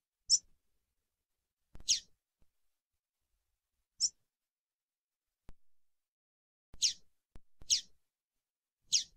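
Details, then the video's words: A female double-collared seedeater (coleiro) gives thin, high chips, about six across nine seconds at an uneven pace, with a few faint clicks between them. "piado de fêmea de coleiro"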